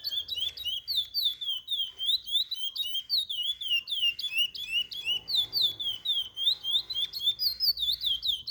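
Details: Captive chestnut-bellied seed finch song meant for teaching young birds: rapid, rollicking whistled phrases of looping slurred notes, repeated densely for several seconds with steady loudness.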